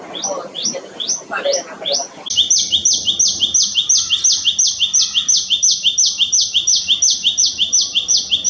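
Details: Tailorbird, known for its loud repeated calls around human habitation, delivering a rapid, very regular run of loud sharp notes, nearly three per second, after a few seconds of faint background chatter.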